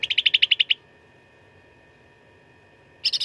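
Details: Cucak ranting, the Black-headed Bulbul, in fighting song for training contest birds: a fast, even rattle of about nine bright notes, a silence of two seconds, then the start of another buzzy burst.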